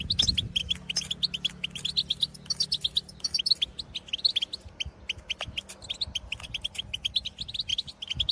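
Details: Several European goldfinches in the field give lively twittering trills and contact calls: a steady, bubbling series of short bright notes, over low rumbling background noise.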